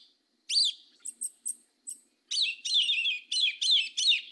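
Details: Yellow-legged thrush, a black bird, in 'mateiro do sul' song: a bright downslurred whistle, three short thin high notes, then a tumbling series of rich warbled phrases delivered about three per second.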